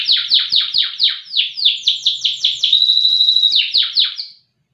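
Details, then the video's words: Canary of the loper kind, bred for song duration and volume, delivering a rapid chain of descending whistled sweeps, a brief level tone, and two final falling notes before silence. "KENARI LOPER PRESTASI DURASI VOLUME LAGU MANTAP"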